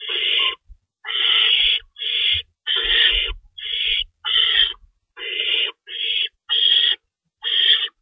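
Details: Feeding time in an owl nest at 3:53 AM, March 25, 2012, with two rabbits cached: about ten coarse, hissy screeches, mostly under a second each, repeated in a steady stream with scattered low thuds.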